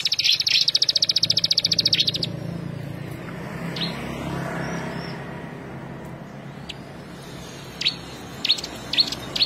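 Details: Olive-backed sunbird giving a quick, high, buzzing trill for about two seconds, then falling quiet apart from a few scattered sharp chips later, over soft background noise.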